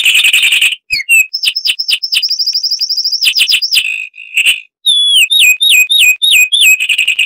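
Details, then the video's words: A Zapata wren from Cuban lowland scrubland sings a long, varied, high series. Trills, a string of quick repeated notes and sharp slurred whistles give way to drooping, looping whistled phrases and a closing trill. "Masteran Burung Zapata Wren"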